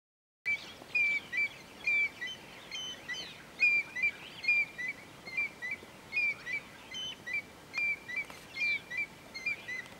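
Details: A singing male African grey hornbill (Lophoceros n. nasutus) at Bilen Lodge, Ethiopia, on 9 January 2015 sings a steady series of thin, piping whistles, about two a second, with other birds chattering higher and faintly behind.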